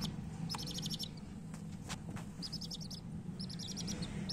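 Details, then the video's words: Coloured hen chicks calling in rapid trilled bursts of bright, high peeps, three main bursts with gaps between, over a low continuous hum. "chirping sounds of murgi chicks"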